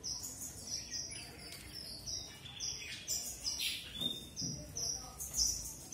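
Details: Red avadavat, or strawberry finch, with quick high chirps and buzzy bursts repeated nearly twice a second, plus a few soft knocks and low hum.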